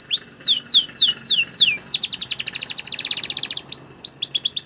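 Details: Timbrado canary song for teaching canaries: slow series of falling whistled sweeps, then a fast pulsing trill of dense strokes, ending with quick rising-falling notes.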